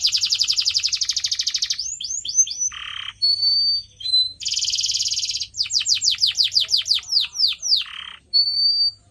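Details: Canary recorded as training song for pet birds: long fast trills alternate with buzzy low bursts, pure held whistles and a run of quickly repeated descending notes.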